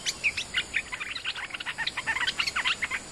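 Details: Bulbul lure call used to draw in wild birds: a dense, chattering stream of short, bright chirps and twitters, about four per second, unbroken for three seconds over a faint hiss.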